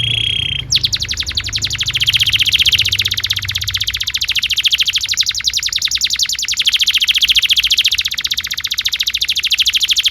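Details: Canary song used as a training recording for young canaries: a long, fast roll of rapid high buzzy pulses, steady and continuous for about nine seconds after a brief opening note.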